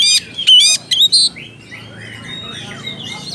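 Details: Oriental magpie-robin calling a rival, giving loud harsh rasping notes in quick bursts, followed by softer distant whistles from other birds in the background.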